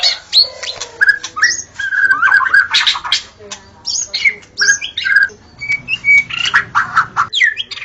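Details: White-rumped shama at dawn pouring out a dense, busy song of harsh squawky notes, slurred whistles and quick chatters with barely any pause.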